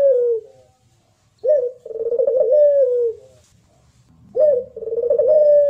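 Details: Contest puter pelung (Barbary dove) song: the tail of one coo, then two more phrases, each a short rising introductory note and a drawn-out rolling coo that fades downward.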